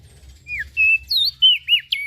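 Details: Ashy prinia calling, a lure sound for small birds: a brief burst of a few loud, whistled, slurred chirps, some bending up and down, over a faint low hum.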